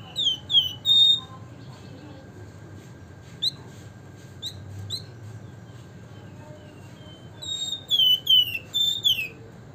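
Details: A Javan fulvetta gives quick bursts of high chirps and short slurred whistles, a lively cluster at the start, scattered single notes in the middle and another busy run near the end, with steady low hum behind.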